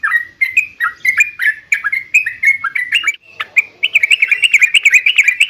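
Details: Yellow-vented bulbul kept in a cage, singing to provoke replies from other birds; slurred, bubbly notes repeat about three times a second, building into a faster, busier chatter toward the close.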